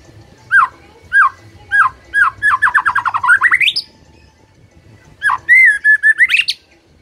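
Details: White-rumped shama song: a series of loud, clear whistled notes repeated about every half second, then a fast rising trill and a sustained warbling phrase climbing at the end.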